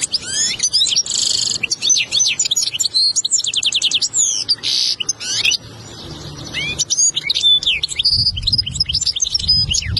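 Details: European goldfinch tutor song used to teach a young goldfinch: a fast, tinkling stream of liquid twitters, trills and buzzy notes, almost without pause, with a faint low rumble toward the end.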